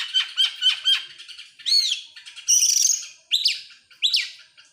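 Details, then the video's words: Oriental magpie-robin, excited and opening its tail: a series of short downslurred chips, then loud arched swooping whistles and a buzzy high rattle, repeated in irregular phrases. "sekali dengar langsung EMOSI NGOBRA GACOR BUKA EKOR, burung kacer nembak,Kacer gacor"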